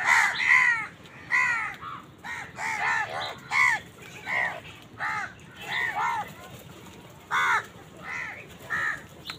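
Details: Crows fighting wild birds for food give a loud run of harsh, nasal caws. They come in short clustered bursts, often doubled or tripled, and overlap each other. At least a dozen bursts are heard without break.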